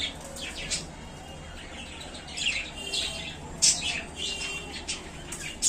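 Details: Budgerigars, happy in a small new cage, give scattered high, bright chirps and short squeaky notes with irregular gaps, some louder sharp peaks standing out over a low steady room hiss.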